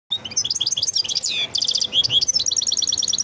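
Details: European goldfinch song, a fast, unbroken twittering of bright high notes with buzzy descending slurs and rapid repeated trills near the end.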